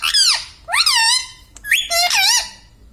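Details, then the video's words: Green pet Indian ringneck parakeet talking indoors, producing three nasal, harmonic word-like phrases with swooping pitch, the last a longer two-part utterance, over quiet room background. "Mitthu Mitthu Bolne Wala Batuni Tota - Talking Parrot"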